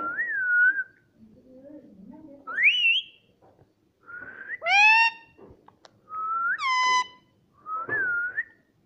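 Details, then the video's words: A pet Indian ringneck parakeet talking, possibly saying "mummy", gives clear whistled phrases, some wavering and some sharply rising, mixed with harsh ringing squawks and a few low, voice-like mumbles. "Indian parrot talking"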